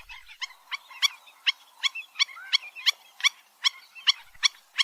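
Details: Black-winged stilt, locally called gagang bayam empang or 'dog-like bird'. It gives harsh, barking notes repeated almost three times a second. Softer squeaky notes slip between the louder yaps.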